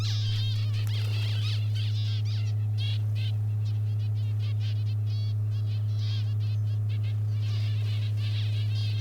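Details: Zebra finches in a flock in the outback around Farina, South Australia, give short, nasal, almost electric chirps, several birds calling rapidly over one another, with a steady low hum underneath.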